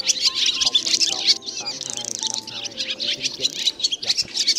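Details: Black, white-bellied swallows calling the flock back to roost, played as a net-trapping lure: dense, rapid high chirps and twitters overlapping throughout, with faint steady low tones running underneath.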